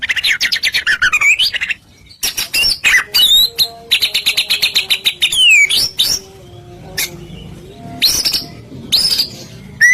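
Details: Lure song of a white-rumped shama meant to make other shamas sing: varied, loud whistles mixed with rapid buzzy trills, sliding notes and abrupt pauses between phrases.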